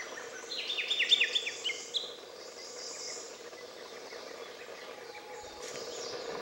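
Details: Izu thrush on Miyake-jima, 20 May 2011, gives a quick phrase of high, clipped, down-slurred notes over about a second and a half, then falls quiet against a steady outdoor hiss.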